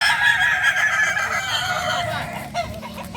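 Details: Kokok Balenggek roosters, a native chicken of Solok, West Sumatra, crowing together at a practice gathering: long, level, harmonic-rich crows that overlap and blend into a dense chorus with no silent gaps.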